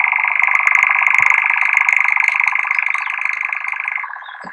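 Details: European Nightjar from a rather failed recording, giving its continuous mechanical churr, a fast dry rattling trill held evenly for the whole stretch, slowly fading near the end.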